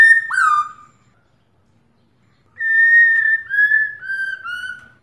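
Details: Female Black-throated laughingthrush rousing a male to sing: a loud down-slurred whistle, a silent pause, then four long level whistles each stepping slightly lower in pitch.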